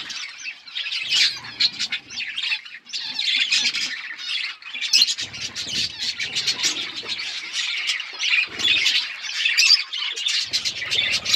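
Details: Budgerigars in a flock, eating. Nonstop high, scratchy chattering and chirping from many birds, rising and falling in intensity, with occasional low rustles underneath.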